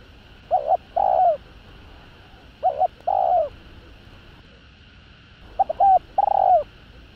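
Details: Spotted dove, 'hạp bổi' voice, full calling, urging and cooing set aimed at rousing rival males: three phrases, each a doubled short note and a long coo dropping at its end, spaced about two and a half seconds apart.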